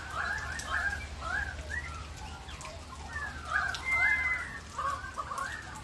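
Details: Several Australian magpies carol in a backyard during rain in Australia, rich warbling phrases and a short pure whistle over constant rainfall.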